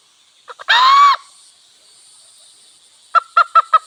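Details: Wild hen and cock in a village: two short clucks lead into a loud, nasal, drawn-out note, then a pause and four rapid clucks, over a constant high hum.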